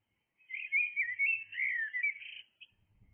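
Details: Singing blackbird at dawn delivering one sustained, flowing phrase of mellow whistles and twirls for about two seconds, ending in a short higher flourish, faint thumps afterward.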